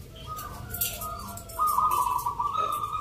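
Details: Contest zebra doves singing in the Nglagu Ngepat Mentaraman rhythm style at a Yogyakarta competition, Indonesia, on 19 November. Faint coos give way midway to a loud, sustained, vibrating trill with a brief dip near the end.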